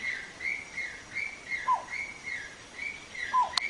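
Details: Samyong recorded for training songbirds, giving soft, evenly spaced whistled notes about twice a second, with a lower descending slur twice, over faint background hiss.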